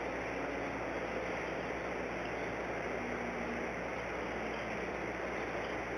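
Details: Only a steady, hissing background noise is heard, with no animal sound.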